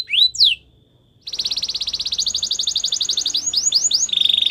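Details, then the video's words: White canary singing a training song: a couple of swept notes, a brief pause, then a rapid even trill of about ten notes per second that turns into looping whistled phrases. "White canary singing | The best canary training song"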